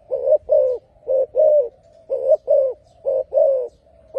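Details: Loud spotted dove singing, low mellow coos grouped in pairs, the second note longer and slightly falling, about four pairs in four seconds, with a soft hum linking the phrases.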